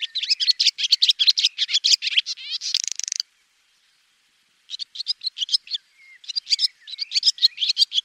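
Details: Swallow giving fast, chattering twitters in dense bursts, with a buzzy grating rattle near the three-second mark, a pause of silence, then more quick high chirp series; no other sounds.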